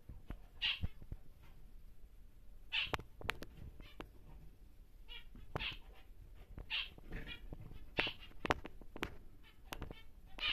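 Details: Caged large normal grey male zebra finch kept for breeding, giving loud nasal, trumpet-like beeps every one to two seconds, with softer buzzy notes and occasional clicks in between.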